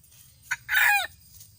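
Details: Red junglefowl rooster, recorded in 2018 and said to crow very well: a brief crow fragment, a short sharp note and then a loud harsh syllable falling at its end, over a faint steady insect hum.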